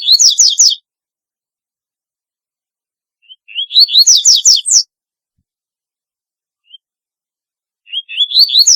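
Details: Double-collared seedeater singing its distinctive song repeatedly, about every four seconds. Phrases begin with thin high pips, rise through slurred whistles and end in quick buzzy descending sweeps. Quiet background.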